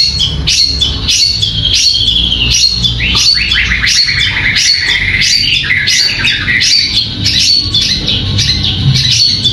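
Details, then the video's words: Competition bird kept in a cage for singing contests pours out rapid, repeated high chirps in quick bursts, a busy warbling stream of short notes with a faint low background rumble. "Peaceful Bird Chirping Sounds"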